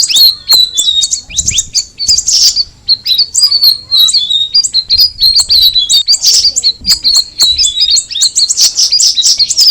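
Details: Sooty-headed bulbul delivering an energetic, shrill chattering song of rapid chirps and whistled slurs, one brief quiet gap near the start, otherwise continuous.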